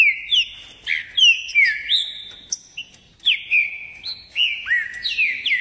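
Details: Green-winged saltator song in the ordem e pressão style, recorded in Caxias, Rio de Janeiro: bright whistled phrases of upslurred and downslurred notes, about three short bursts, each loud and clean over a quiet background.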